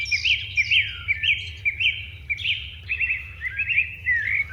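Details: House sparrows chirping in the morning in quick, overlapping bursts, bright and repetitive, several notes each second, with a low steady hum underneath.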